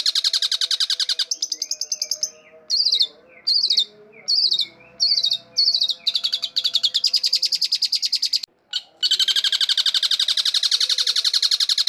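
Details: Long-tailed shrike singing in gacor style, meant as a lure sound: a fast train of dry, buzzy repeated notes, then short high warbled whistles separated by brief pauses, ending in a long rapid chattering series over a faint low steady hum.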